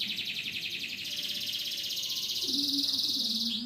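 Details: Canary song meant as a master recording for tutoring other songbirds: a fast, continuous rolling trill held high and steady, pulsing about four times per second, ending in a brief upward flick, with a faint low hum underneath.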